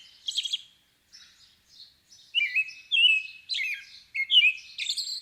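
A robin sings high, sweet, varied phrases of thin whistles and quick twittering trills, separated by short pauses; there is no other clear sound.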